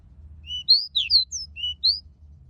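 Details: Practice song of a young Pied bushchat learning to sing: brisk, thin, slurred whistle notes, alternately rising and falling, delivered in a tight burst of seven or eight notes, with a soft low background hum.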